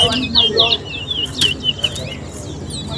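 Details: Towa towa singing in a song race at Alligator Park while each song is counted aloud: bright twittering whistled phrases at first, then scattered chirps among a man's voice and outdoor background.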